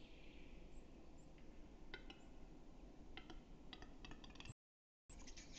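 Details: Western capercaillie at Metsis, Estonia, 2018-04, giving dry, knocking clicks that come faster and closer together over a steady low rumble, with a brief gap before the clicking resumes.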